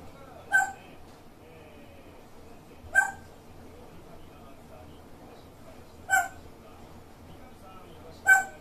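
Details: Peculiar, quirky calls of a grey parrot: four abrupt, harsh squawk notes with ringing overtones, spaced unevenly two to three seconds apart, separated by near silence with faint background hum.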